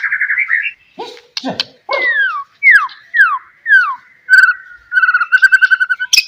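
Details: White-rumped shama, played as a lure for other shamas to answer: a short trill, downward swooping whistles repeated about once a second, then a fast rattling series of clear notes.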